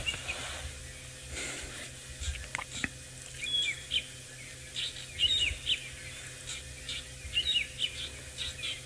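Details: Drongos in wild Africa, 11 December 2018, keep up their mobbing calls after a Wahlberg's Eagle settles in a tree nearby; brief high, thin notes come in loose bursts of two to four every second or two, set against constant hiss and low rumble.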